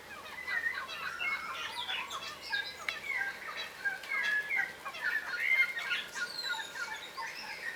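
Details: Ground-feeding yellow rosellas in Australia, a cautious subspecies of crimson rosella, keep up a steady stream of small chirps, squeaks and slurred whistles from several birds, irregular and overlapping throughout.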